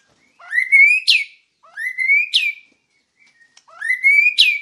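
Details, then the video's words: White-rumped shama, a master recording made to train other birds: three clear whistled phrases about 1.5 seconds apart, each sliding upward and ending in a sharp, bright upsweep, with quiet gaps between. "Masteran Murai Batu Gacor WIKPLONG"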